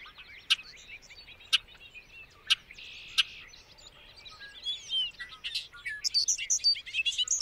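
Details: Bobolink song starting with spaced sharp clicks and soft warbles, then building into a loud, rapid cascade of bubbling high notes.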